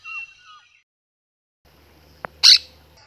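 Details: A monk parakeet kept as a pet gives its scream: a single loud, harsh, high screech lasting a split second, after a sharp click and some faint thin whistles.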